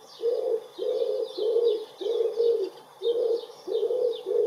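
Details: Close-up common wood pigeon cooing in spring on 23 April 2019, another bird answering its calls; a steady series of low, soft hooted coos, about seven phrases in quick rhythm, with faint high chirping of small birds behind.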